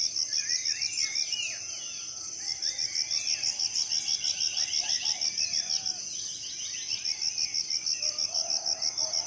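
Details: Several birds calling at dawn deep in Southeast Sulawesi tropical forest, giving quick chirps and brief twittering runs, while a shrill insect pulses continuously and evenly in the background.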